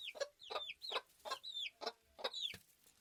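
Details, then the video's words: Farm chickens: soft rhythmic clucks roughly three per second, each paired with a downward-curving high chirp, at a low level. "Farm Chickens Ambience Sound Effect"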